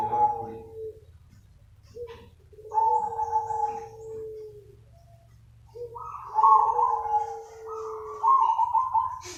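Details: Cooing of zebra doves used as a lure for other doves: several long, level coos in two overlapping pitches, some with a slight quaver, separated by short pauses, over a low steady hum.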